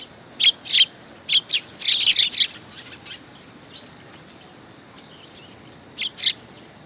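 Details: Sparrows landing on a raised platform at a Tenmangu shrine on 3 September 2022. Loud, sharp chirps crowd together early, then thin to a couple of isolated notes near the end.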